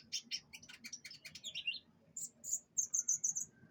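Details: Canary aired during pengembunan, the morning dew-exposure of kept birds, singing a varied phrase of quick high chirps and short rolls, ending in a run of about five clear, evenly spaced piping notes.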